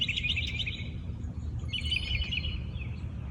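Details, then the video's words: Birds singing at dawn in a natural setting, heard more faintly: two short bursts of quick chirping trills separated by a pause, partly masked by a strong low background hum. "Listen to the birds sing"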